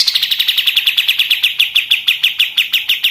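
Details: Machine-gun style song of a pied triller, kept as a tutor for training other songbirds: one unbroken run of quick, evenly spaced high chips, like rapid gunfire, lasting about three seconds.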